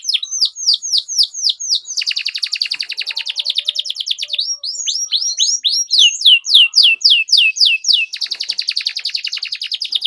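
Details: Vigorous canary song played to train young birds, with steady fast repeated down-slurred notes alternating with dense buzzy trills, very regular rhythm throughout.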